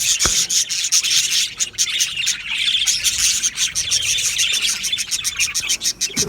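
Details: Budgerigar colony in an aviary: continuous high chirping and scratchy warbles from many birds, with a few sharp clicks standing out.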